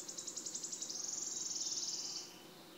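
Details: In June 2016 at PP Březinka, Náchod-Běloves, a wood warbler delivers its song: a run of separate high clicks quickens and merges into a buzzy, shimmering trill fading out near the end.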